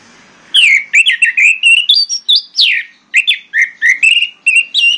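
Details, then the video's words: Orange-headed thrush song used as a lure to get silent birds singing: a fast series of clear whistled notes and slurred phrases, some rising, some falling, in short bursts with brief pauses. "DIJAMIN YANG BISU IKUT BUNYI MENGGUNAKAN PANCINGAN ANIS MERAH INI"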